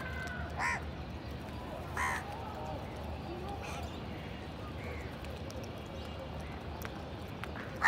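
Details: Indian house crows in a village, many feeding together and fighting for food; short harsh caws rise from steady background hiss at about 0.6, 2 and 8 seconds, with a fainter caw in between.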